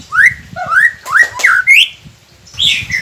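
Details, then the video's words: White-rumped shama song for prompting captive birds to sing: a short set of clear whistled notes, each rising then falling, given about one every half second, with a final higher note. "Murai Pendiam Cepet Buka Suara dengan masteran ini | shama bird"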